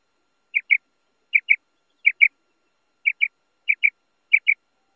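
A female common quail gives soft, high paired notes, a quick double 'quip-quip' about every three-quarters of a second, against near silence.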